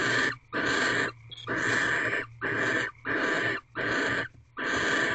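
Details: Pre-dawn barn owl mating in a corral owl box, 4:17 am on 4 March 2023, fifteenth night; seven raspy hissing bursts in quick, slightly irregular succession, with a brief squeak near the start.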